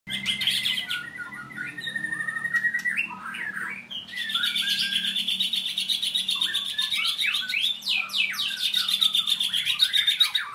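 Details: White-rumped shama in a training session, singing vigorously: rich varied phrases of loud whistles and rapid buzzy trills, fast shifting notes with few pauses, over a low steady background hum.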